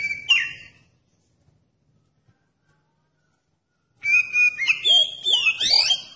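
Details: Oriental magpie-robin song used as a lure to provoke other magpie-robins into singing: one short whistled burst, about three seconds of silence, then a rich run of loud, clear whistles with rapid rising and falling slurs.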